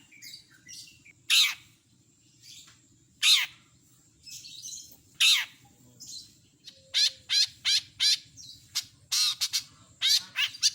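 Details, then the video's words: Long-tailed shrike in full voice, mixing imitations of other birds: loud harsh downward squawks about every two seconds at first, then faster strings of high clipped chirps, over a faint low hum. "Masteran burung CENDET gacor isian lengkap"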